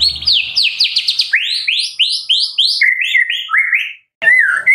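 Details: Medan white-rumped shama in full song as a lure for other shamas: rapid series of upward-swept whistles, then a run of lower, repeated rising notes, ending after a short gap with one more phrase.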